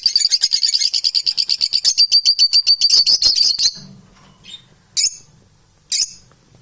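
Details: Domestic parrots, called unbalanced, kept indoors: a rapid run of shrill, pulsing chatter, about four notes per second for nearly four seconds, then quiet and two single harsh squawks.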